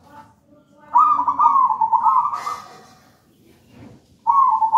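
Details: A zebra dove, a wild local bird from a nest in a plantain plant, in full song: a long, pulsing, trilled coo of nearly two seconds, a quiet gap, then the next rolling phrase begins.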